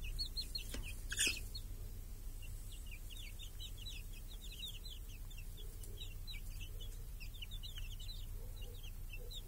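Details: Village chicks and hens grazing under a protective cage on a clear summer day. Steady streams of high, bent peeps run on and on from many chicks, with a couple of sharp knocks early on and a few soft low clucks.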